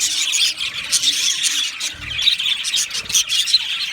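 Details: Aviary budgerigars chirping in a happy colony, dense high chatter with squealing, squeaky notes and a couple of faint low thumps in the background.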